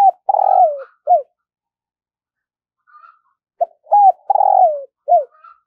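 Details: Spotted dove kept as a decoy for luring wild doves, singing its phrase twice: a long buzzy descending croon and a short end coo, a pause, then a repeat with an opening note and rising coo, plus soft higher chirps.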